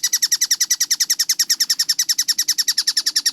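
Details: Tengkek buto kingfisher in a clear, rapid training track: about nine sharp, high, rasping notes per second in an unbroken, even run, each note bright and slightly downslurred, over a quiet low hum.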